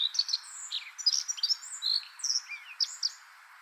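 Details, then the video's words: A common redstart (Phoenicurus phoenicurus) sings a quick, jumbled run of high, thin notes and scratchy twitters, a few sharp downslurs mixed in, over a faint background hiss. "The common redstart bird singing"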